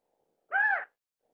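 California quail giving a single nasal, slightly arched note lasting under half a second, with silence on either side.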